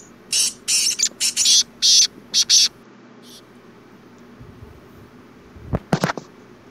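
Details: A black francolin, known locally as kala teetar, gives a loud series of harsh, rasping, grating notes in quick uneven bursts lasting about two and a half seconds, followed by quiet and a few sharp clicks.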